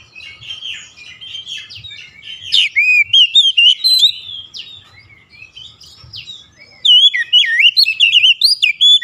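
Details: Kacer, the Oriental magpie-robin, in lure song meant to provoke other kacers into singing. Softer chattering twitters build into loud, varied whistles with swooping slurs. A quieter lull follows, then a final burst of rapid looping whistled notes.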